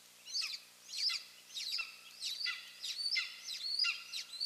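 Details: Golden eagle nest in Finland with two eaglets, both parents present, May 3, 2024: sharp, high, chittering yelps with thin whistled tails, repeated about every half second to second, quiet hiss behind.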